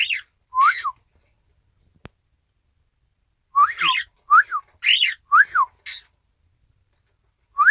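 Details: Isabelle pearl cockatiel, a pet, mimicking the whistled "ppoiyo" call on 1 December 2018: an opening pair of arched notes, a lone click, then a rapid cluster of alternating clear and buzzy whistles.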